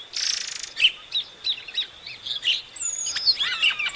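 Epaulet oriole song: a quick run of clear, high whistled notes and short chattery phrases, with a sustained buzzy rasp at the start.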